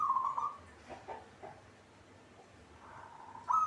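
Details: Caged local zebra dove in song: a quick trilled coo opens, faint broken sounds follow, then a new cooing phrase begins right at the close.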